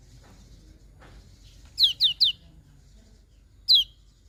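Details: Lemon-bellied white-eye in the morning giving three quick, high, downslurred whistled notes in a row, then a pause of over a second and one more similar falling note, against quiet low background noise.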